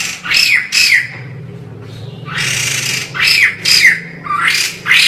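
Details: White-crested laughingthrush in noisy form: loud, grating squawks, a pair, a longer harsh rush, then three more quick raspy notes, over a constant low hum.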